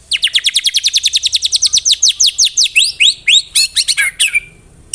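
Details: White-rumped shama (murai batu) in the rapid-fire 'tembakan rapat' song style: a fast run of sharp, downward-sweeping whistled notes, about six per second, ending in a few varied twisting phrases, with no other sounds.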